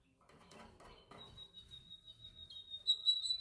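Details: Canary in song training: a soft muffled jumble at first, then a thin, steady high whistle that grows louder and ends in brighter, repeated high notes.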